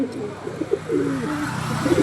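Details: Local old-bloodline Bengali high flyer pigeons cooing, several low, throaty coos overlapping and wavering, with a steady background hum.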